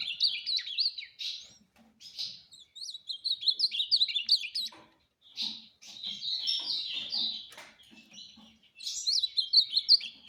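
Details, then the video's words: Tournament ultramarine grosbeak singing the speedy 'fibra' style: three bursts of rapid, jumbled whistled warbling, each lasting a few seconds, separated by short quiet gaps with odd single chirps. "Fibra e Velocidade"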